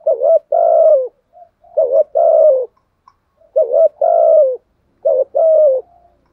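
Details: Spotted dove used as a decoy to lure wild doves: deep mellow coos in two-part phrases, a short note then a longer drawn-out one, repeated about every one and a half seconds, clean and close.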